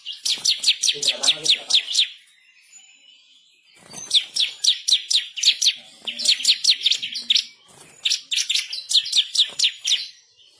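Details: Bar-winged prinia singing vigorously for song tutoring, fierce rolling phrases and sharp bursts: fast trilled series of high ticking notes in four bursts of about two seconds, separated by short pauses.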